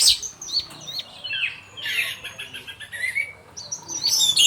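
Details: Softer afternoon song of an orange-headed thrush (anis merah): scattered high whistles and a bright warbled phrase in the middle, somewhat muffled, with twittering notes returning at the end.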